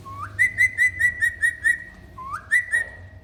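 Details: Pet parrot chattering while bathing under a shower: a rising slide into a run of about six clear, evenly spaced whistled notes, a short pause, then another rising slide and two more whistles over a low rumble of running water.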